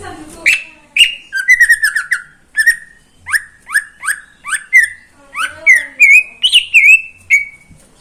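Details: Greater green leafbird, a neighbour's caged bird, singing in the morning in Indonesia: varied whistled phrases and rapid chattering trills around a steady pitch, loud and continuous with short pauses between bursts.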